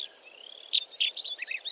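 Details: A Melodious Lark sings a mimicry song of quick, high, chirpy snatches copied from European bee-eaters, cloud cisticola and other birds: a thin rising whistle, then short bright chips and buzzy notes in rapid succession.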